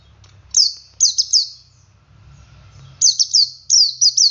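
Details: Male Oriental white-eye singing in the ngalas style, used to prompt other white-eyes to sing along. Clusters of high, thin, quickly falling twittered notes come in two bursts separated by a quiet pause, over a faint low hum.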